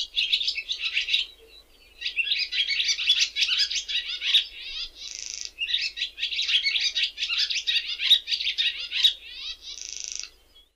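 A swallow sings a long, fast, chattering twitter, broken twice by a dry, buzzy rattle. The song runs in two bursts with a short pause between them.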